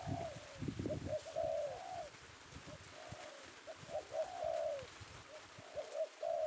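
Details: Male spotted dove (tekukur), caught this afternoon in Indonesia and prized by bird catchers, giving low, rounded coos in short phrases, with rumbling low-pitched handling or background noise early on.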